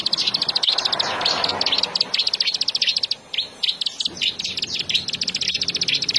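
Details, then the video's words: A prinia sings a rapid, high-pitched chatter of sharp repeated notes in fast bursts almost without pause, with faint background noise early on. "Ciblek super"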